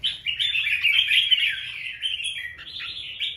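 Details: Male red-whiskered bulbul singing on 24 January 2024 to attract a female, a fast, shrill run of dense warbled and chattering notes, almost unbroken, with short rising flourishes near the end.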